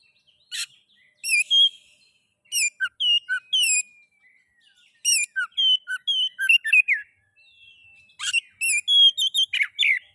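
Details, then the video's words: Oriental magpie-robin song, a recording used to stimulate other magpie-robins to sing: bright whistled phrases with sharp rising and falling notes, given in short bursts separated by brief silences, clean background. "Pancingan kacer ngeplay...cocok untuk merangsang bunyi kacer"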